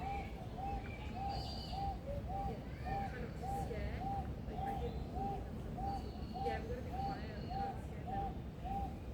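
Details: Male Superb Lyrebird kept in a rainforest aviary at Adelaide Zoo, South Australia, a mimic of other birds, car alarms, ringtones and machinery: a steady series of short arched whistled notes, nearly two per second, over a rumbling background with faint higher whistles.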